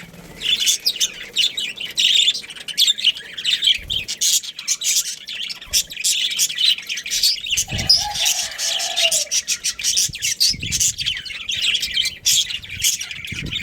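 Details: Continuous flock chatter from a budgerigar breeding pair and family: rapid high chirps, rasps and warbles run almost nonstop, with a soft lower whistle-like tone around the middle and occasional low thuds.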